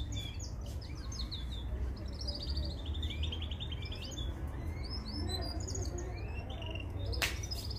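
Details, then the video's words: Mosaic canary song used to train young canaries: long fast trills and rolling chirp series, shifting pitch between phrases, with a constant low droning hum and a sharp click near the end. "Canary Singing Full training vedio"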